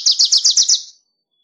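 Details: Six loud, evenly spaced high chips from a Wilson's warbler, rattled off in under a second, with the last note trailing away into quiet.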